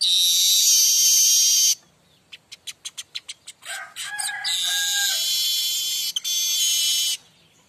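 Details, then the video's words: Streaked weaver singing actively in the mbeset style, used as a tutor song for other weavers: a long harsh sizzling buzz, then about eight rapid dry clicks, a rising chatter, and another long hissing buzz ending abruptly. "burung manyar pancingan mbeset"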